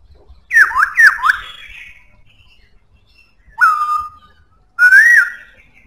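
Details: Powerful song of a black-throated laughingthrush. It opens with three fast, loud downslurred whistles, then pauses before a sharp whistle dropping to a sustained level tone. A final rich, rising-and-falling whistled note closes the phrase.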